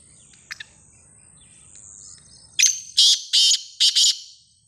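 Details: Black francolin giving a loud grating call of four to five rasping notes in quick succession after a faint chirp and near silence.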